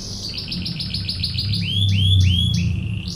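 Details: Canary repeating rapid bell-like notes that slide into arched whistled syllables, about three per second, with a low hum beneath.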